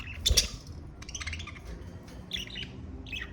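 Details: Pet budgerigar with a loud sharp chirp at the start, followed by softer, scratchy chattering notes and a couple of rising squeaks, against a low rumbling background.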